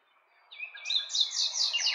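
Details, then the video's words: Nightingale singing: a rising whistle leads into loud, fast rattling trills and repeated buzzy notes, bright and rich, over a faint background hum. "Cantec de privighetoare - Nightingale's song"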